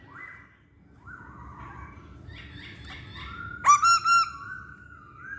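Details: Masked laughingthrush song used to lure birds: faint, soft whistles at first over a low hum, then a loud upswept note and three clear, level whistled pulses trailing into a long tone.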